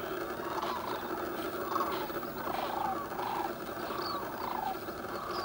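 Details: A dense chorus of many sandhill cranes waking on the Platte River near Gibbon, Nebraska, in thick fog, overlapping rolling, rattling calls at a steady mid pitch over a constant background hiss.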